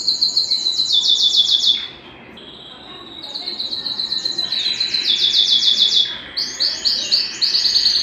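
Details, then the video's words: Belgian canary song meant to excite other canaries and bring hens into breeding condition; fast ringing trills, a quieter stretch of softer warbling after two seconds, then bursts of loud rolling notes return. "Canto Para Esquentar Canário Belga e Foguear as Fêmeas"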